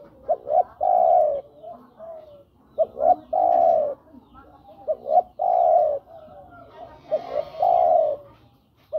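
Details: Spotted dove (tekukur) cooing to call a female, used as a lure for birds: three phrases, each a few short soft notes leading into a long, mellow, level coo, repeated about every two and a half seconds. Faint background murmur.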